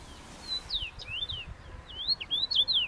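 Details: A rosefinch in Trabzon gives a quick series of clear, slurred whistles, some falling and some rising, about eight notes in three seconds, over a faint low rumble.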